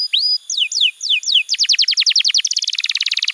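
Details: Master canary song for tutoring young birds, with a rising whistle, several falling sweeps, then an accelerating chain of sharp notes ending in a rapid trill.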